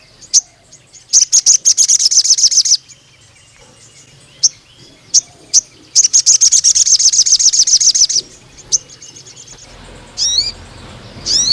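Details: Ruby-cheeked sunbird (sogon) in full, energetic song, used to lure and tutor young speckled males: very high, rapid buzzy trills in long bursts alternating with sharp single chips and a few quick rising upslurred notes.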